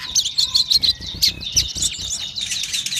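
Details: Crimson sunbird in lively form, pouring out a fast, dense stream of high, sharp chirps and twittering notes without a break.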